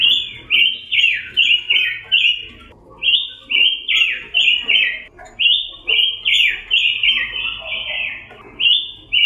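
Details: Orange-headed thrush song made of rapid, bright, downslurred whistled notes in tight series, a few per second, broken by short pauses, over a faint low background rumble.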